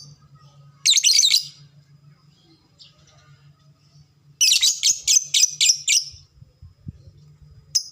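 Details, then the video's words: Lovebird of the fighter type in long ngekek chatter, used as a lure to set off responses: a rapid burst of harsh high notes, a pause, then a longer run of fast rattling notes, over a soft hum. "SUARA BURUNG LOVEBRID TERCEPAT, bikin cepat respon ngekek"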